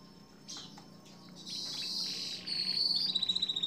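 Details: Canary song from a long-duration songbird training recording: soft chirps leading into a bright sustained high trill and rapid pulsed notes, with a low hum beneath.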